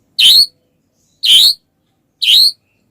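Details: White-rumped shama, heard as a lure for other shamas, giving three harsh, scratchy high notes about a second apart.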